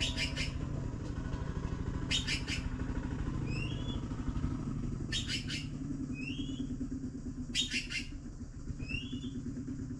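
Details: Blue magpie chicks waiting for food repeat four groups of rasping, buzzy chirps at intervals of two to three seconds, interspersed with short rising whistles, while a motor drones steadily underneath.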